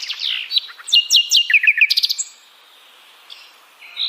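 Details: Sikatan londo flycatcher song: soft scratchy notes lead into quick descending chirps and a tight buzzy trill, then a quiet stretch with faint notes and a last short high whistle.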